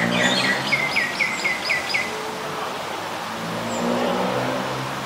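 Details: Common Myna (Acridotheres tristis) in Ubon Ratchathani, Thailand, 24 February 2022: a quick run of about seven sharp, hooked chattering notes over two seconds, then quiet; low traffic rumble underneath.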